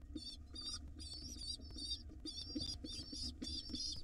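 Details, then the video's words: Wild pigeon nestlings begging while being fed by their mother at a monitored nest box: high, buzzy, wavering squeals in rapid bursts, repeated with short gaps, over low rumbling background noise and faint scratching. "Pigeon Mom feeds her hungry nestlings"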